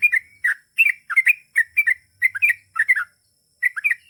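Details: Long ropel song from a gacor trucukan (Yellow-vented bulbul): brisk doubled chirping notes with slurred whistles, evenly spaced bursts and a short break near the end.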